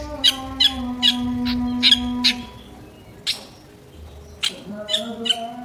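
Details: Drongo uttering coarse, squawky notes, quick repeated rasps at first, then scattered single harsh bursts after a pause, with a steady low hum running underneath.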